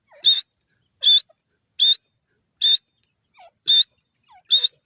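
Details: Grey francolin, called teetar, giving a steady series of loud, rasping calls roughly every 0.7 seconds. Faint lower squeaks are heard between some calls.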